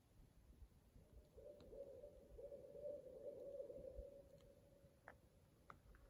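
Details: Very loud owl calling soon after sunset near a campfire at a dispersed campsite in a national forest; one long, steady, mid-pitched note held about four seconds, echoing, with campfire crackles and pops throughout.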